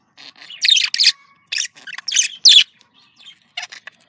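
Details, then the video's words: Budgerigar contact calls described as happy: a few loud scratchy chirps in quick pairs, with quieter warbled notes and gaps between. "Voz decomunicación.de loro australiano /sonido de llamada de periquito / se sentirá feliz"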